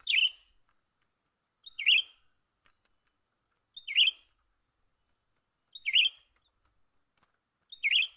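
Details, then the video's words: Young bulbul, cucak ranting, calling during a trapping session: five short bright chirps, each a quick falling note, spaced about two seconds apart, with a steady high-pitched tone underneath. "memikat burung cucak ranting muda mantap"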